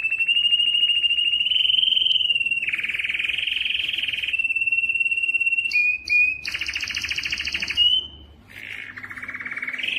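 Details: Canary singing to encourage males to sing: long continuous rapid trills changing pitch in stages, brief gaps, a burst of high rolling notes and a lower buzzy trill at the end.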